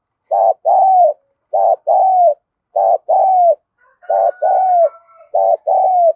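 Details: Spotted dove giving 'thúc gù' urging coos with full cooing phrases, used to train decoy birds: paired low coos, a short note then a longer falling one, repeated about every second and a quarter, with a faint thin whistle near the end.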